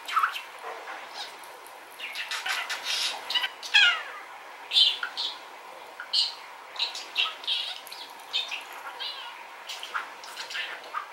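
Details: Male rainbow budgerigar at home chattering away, captured with a distant telephoto zoom: rapid clustered chirps and scratchy warbled notes with occasional sweeping whistles, nearly continuous throughout.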